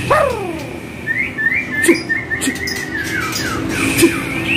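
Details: White-rumped shama (Copsychus malabaricus), song.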